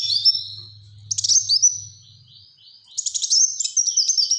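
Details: Black-throated sunbird delivering dense high song: thin sliding whistles, quick chirped phrases and rapid ticking bursts, over a low steady hum early on.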